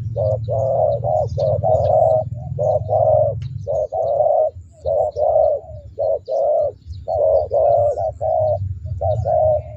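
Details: Spotted dove kept as a lure bird, praised for its big "thunder" voice, giving a long run of deep, hollow coos, some short and some drawn out, about one per second, over a low background hum.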